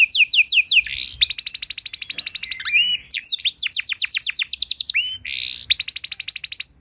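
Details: Canary singing a master song to teach other canaries: quick falling whistles then long rapid trills of repeated notes, broken by short buzzy bursts.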